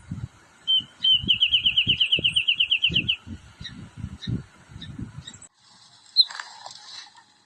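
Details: Wrentit playing on a branch gives a fast, even series of about twenty sharp, high notes lasting two seconds, with low thumping and rustling noise underneath and a brief squeak afterward.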